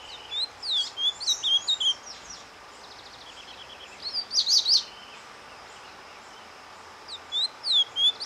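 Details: Ultramarine grosbeak surdina, the soft song played to warm up breeding birds, heard as short bursts of high twittering slurs, a buzzy trilled phrase midway, then more whistled notes after a quiet gap.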